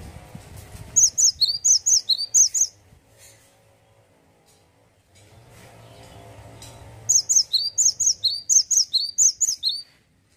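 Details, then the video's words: A male cinereous tit sings two bursts of high, ringing two-note phrases, repeated quickly and evenly, separated by a few seconds of quiet background hum. "GELATIK BATU JANTAN LAGI ONFIRE...GACOR NGEPLONK"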